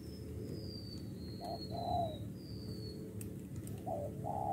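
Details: Spotted dove described as 'bổi đồng pha' giving paired low coos, two phrases a couple of seconds apart, with a thin high whistle drifting down in the background.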